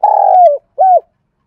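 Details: Lure spotted dove calling to draw in wild doves: a long, slightly rough low coo that slides downward, then a brief gap and a shorter arched coo; no other sounds, clean background.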